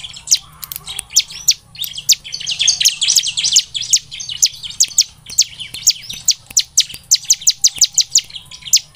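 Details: Bar-winged prinia, called ciblek semi, singing in a lure recording meant to make birds sing eagerly. Dense, high, rapid chipping forms a busy tangle midway, then gives way to steady strings of sharp, evenly spaced chip notes.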